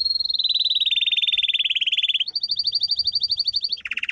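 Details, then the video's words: Domestic canary song for training: a fast rolled trill sliding gradually downward, then a higher steady trill, ending on a lower rolled phrase. "Canary singing - 2 Canary 's most powerful song for training"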